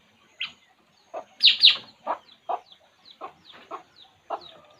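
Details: Puling bird, relaxed, giving a series of about nine short chirping notes roughly every half second, with a louder, harsher double note near the start.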